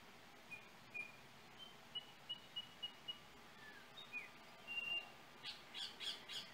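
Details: A Yellow Oriole in Trinidad gives a string of clear, high whistled notes, some quickly repeated, ending in a few harsher chattering notes over quiet outdoor background.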